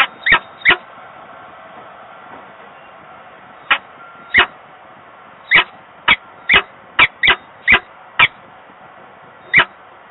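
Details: Peregrine falcons at a nest box, Włocławek, Poland, 15 November 2022, calling across a distance between grille and box; short sharp chips quicken into a rapid run midway, background hum throughout.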